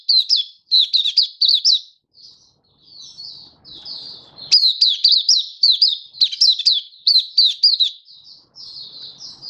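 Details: Oriental white-eye performing an open-singing song display, February 2023: clusters of piercing, high downslurred notes delivered in fast runs, broken by quieter twittering passages and a faint low rustle.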